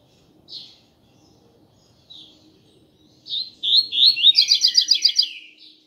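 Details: Captive-training song of a coleiro, Double-collared seedeater, tui tui style: a few spaced high chirps, then a rapid, rising burst of clear whistled notes ending in a fast, regular trill of about a dozen notes in a quiet setting.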